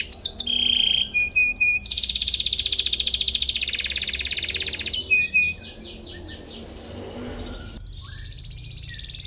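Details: Canary chirping in search of a rival, for training young canaries: short piping notes, a long loud buzzy trill, then scattered whistles and a softer closing trill.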